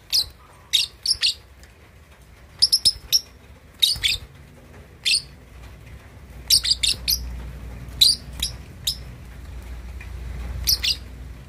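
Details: Two-and-a-half-month-old lovebird practising chatter, giving frequent shrill chirps in clusters of two to four, steady throughout, over a rising low rumble toward the end.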